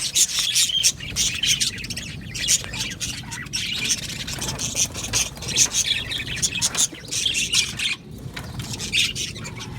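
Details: Budgerigars in an aviary colony giving harsh squawks mixed with high chirps and warbling, in loud, irregular bursts from several birds.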